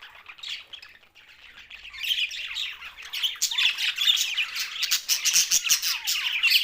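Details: Budgerigars, Australian parrots, Larkana, Sindh: quieter scattered chirps at first, then the flock breaks into a dense, fast warbling chatter of squeaks and short squawks.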